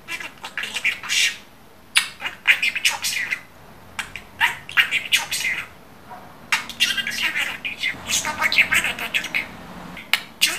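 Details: Talking budgerigar kept as a pet indoors, chattering in bursts of rapid scratchy, word-like syllables with high squeaky notes, separated by short pauses.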